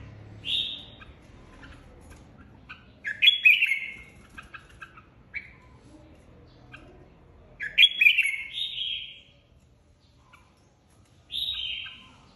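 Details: Red-whiskered bulbul, a flock leader newly separated from an aviary, in competitive singing: loud, warbled, falling phrases with short bursts between them, about four phrases in twelve seconds, faint clicks and low background rumble.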